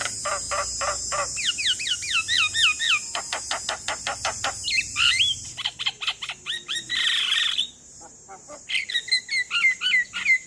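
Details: Male Javan myna calling its companions, kept as a lure bird: fast series of sharp clicks and twisting whistled notes, with harsh raspy bursts and a constant high hiss behind.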